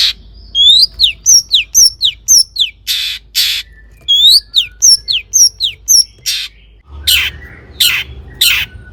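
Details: Long-tailed shrike song used to stimulate other shrikes; repeated phrases of hooked, downslurred whistles mixed with harsh rasping bursts, ending in several loud scratchy notes.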